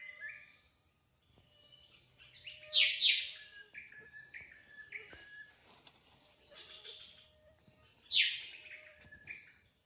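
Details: Drongo singing energetically in the wild: long rambling sequences of short stepped whistles and chatter, punctuated by three loud, harsh, buzzy bursts, with a thin steady high tone behind.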